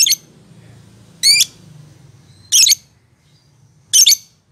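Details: Lovebird described as a world champion singer, uttering loud harsh high chirps, some with stacked rising tones, spaced about every one and a half seconds above a low background hum.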